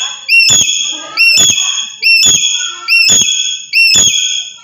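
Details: Black-capped lory from Papua giving loud calls used to provoke other birds: five harsh, ringing harmonic calls, each opening with a sharp click, rising slightly then held level, repeated about once a second.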